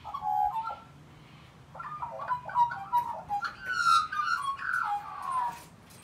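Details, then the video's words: Australian magpies in a sing-off at a native animal rescue in Woronora: a rescued magpie against a local wild pair. Warbling, whistled notes come in short runs, rising and falling, with pauses between phrases. "Magpie Sing Off"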